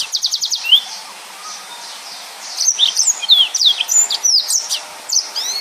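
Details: Chatty yellow-fronted canary delivering dense 'nembak' song meant for tutoring other birds: it opens with a fast buzzy trill of repeated notes, pauses, then resumes with quick high whistled slurs and chips.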